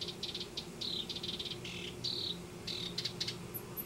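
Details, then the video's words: House wrens nesting in a Denver yard: uneven high trilled phrases and buzzy bursts, with a few thin very high notes near the end. "House Wrens Nesting"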